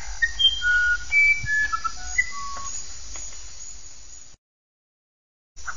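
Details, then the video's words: A uirapuru (musician wren), called the singer of the sertão, sings a quick string of pure, flute-like whistles, each note on a different pitch, over a low background hum before a brief silence. "Canto do uirapuru"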